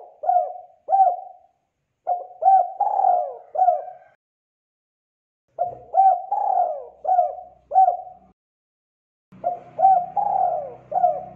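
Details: Spotted dove singing, a recording played to train young birds to sing: three phrases of soft hooked coos followed by a longer sweeping coo, separated by pauses, with faint low hum in the last phrase.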